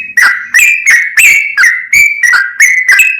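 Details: Sooty-headed bulbul singing a non-stop, fast-paced song meant to provoke rival bulbuls: clear liquid whistled phrases, each note bending up or down, delivered about three per second with brief gaps.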